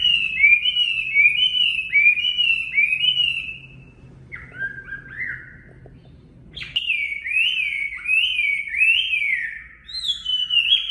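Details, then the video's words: Chinese hwamei in full song for caged-bird training: repeated loud slurred whistles, a softer section of lower notes and a pause, then a fresh burst of rising and falling whistled phrases. "Luyện giọng Họa Mi mộc"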